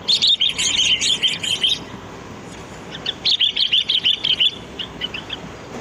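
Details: Sooty-headed bulbul, a lure recording from the wild, giving two bursts of rapid, high chirpy notes, about three per second, with a short pause between bursts.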